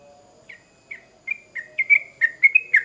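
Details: An agitated sooty-headed bulbul answers a lure recording with clipped, slurred chirps that start widely spaced and then come faster and louder in a tightening run, over a faint steady low hum.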